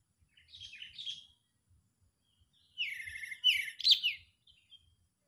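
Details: Agitated sooty-headed bulbul used as a lure for trapping birds: one brief chirping phrase, a pause, then a louder, busier run of sharp, scratchy chirps and clear notes.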